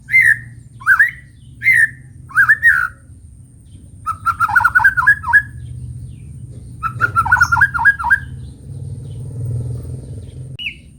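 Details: Morning song of a white-rumped shama: several separate sweet whistled notes, then two rapid rippling trilled phrases of descending slurred notes, ending with a short high whistle over a steady low hum.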